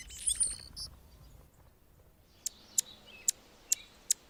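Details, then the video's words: Anna's hummingbird perched on a branch in Golden Gate Park, San Francisco, California: a scratchy buzzy phrase, a pause, then five sharp high ticks spaced roughly every half second over quiet outdoor background noise. "Anna's Hummingbird (Colibri) singing on a branch"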